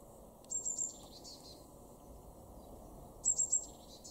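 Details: A Great Tit in a garden in Weener, East Frisia, northwest Germany, in March 2024 gives two quick bursts of three thin, very high notes, each trailing into lower chatter, about three seconds apart, over a steady low rumble.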